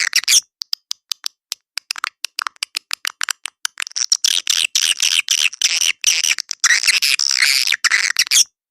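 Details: Edible-nest swiftlet lure call played to attract birds to swiftlet houses: rapid trains of sharp dry clicks in the first half, then dense buzzy high twittering chirps with abrupt cuts into silence.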